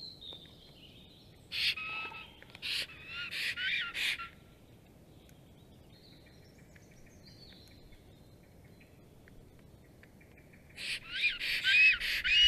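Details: Black stork pair at their nest with eggs, 30 April 2022 at 12:34 PM, greeting each other as the male returns before a strange female arrives. Two bursts of harsh, rasping broadband calls, separated by a long quiet stretch.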